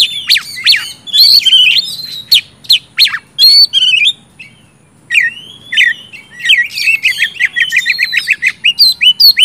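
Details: Oriental magpie-robin song, intended to trigger reluctant birds to sing: sharp slurred calls and whistles, a short pause, then a long rising whistle followed by quick repeated chips.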